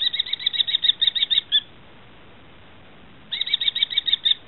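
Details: Common kestrel chicks, recorded 13 July 2013, give rapid, shrill, piercing notes, about a dozen in a second and a half. After a short pause, another quick burst follows.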